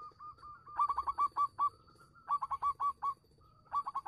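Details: Local Zebra Dove performing song meant to draw replies from doves that have gone quiet. Soft hooked coos lead into bursts of rapid, stuttering low notes, repeated three times, with a faint steady high hum behind.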